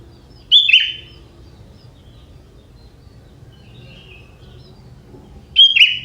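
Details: A young forest sooty-headed bulbul singing, described as having prinia-type phrases; two brief whistled-and-warbled bursts about five seconds apart with faint distant chirps between, in quiet outdoor background.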